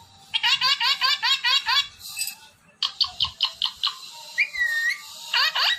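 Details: Pet ring-necked parrot chattering in rapid, regular chuckling syllables, about eight per second-long run, then a pause, another run of pulses, and a rising whistled note near the end.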